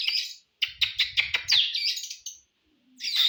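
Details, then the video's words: Oriental magpie-robin song meant to provoke a bird for contests: dense, buzzy high chattering in quick pulses with squeaky slurred notes, pausing briefly before another harsh burst. "KACER SIAP ADU..PANCINGAN BUAT KACER NGOTOT"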